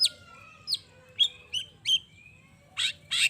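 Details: Long-tailed shrike, a lively singer, played to stir other shrikes into answering. Harsh, rasping bursts come at uneven intervals between thin, drawn-out whistled tones, then two broad scratchy notes close together at the end.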